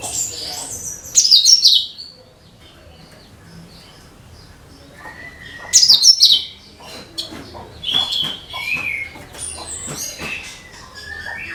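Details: Song of a cucak kinoi (leafbird), played to lure other birds. Loud, harsh, high twittering bursts about five seconds apart, with softer whistled slurs and chatter in between.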